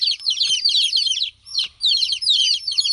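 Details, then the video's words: Baby chicks chirping in a dense, continuous chorus of high, bright peeps, many overlapping rapid cheeps with two brief pauses. "Cute Baby Chicks Chirping Sound"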